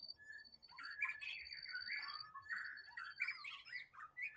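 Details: White-rumped shama singing in the wild, a dense warbled run of slurred whistles and harsher notes above a sustained high whine and soft low background noise.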